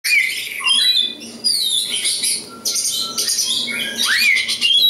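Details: Oriental magpie-robin of local East Java stock, singing a loud varied phrase of whistled notes, rising slurred sweeps and harsh buzzy bursts, with brief pauses between sections and faint low room hum.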